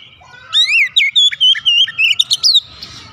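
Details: Oriental magpie-robin kept caged at home, played to encourage singing: about two seconds of loud, clear whistled song with rising slurs and quick repeated notes, followed by a faint hiss.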